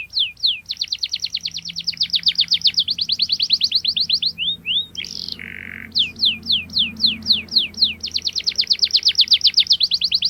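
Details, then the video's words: Canary rolling song aimed at helping a young canary learn: long fast trills of downward sweeps, brief pause with an odd lower note, then spaced sweeps and another rapid trill. "KENARI Gacor Cuit cuit NGEROL TAJAM Menekan Lawan, Pancingan KENARI PAUD belajar bunyi | Canary bird"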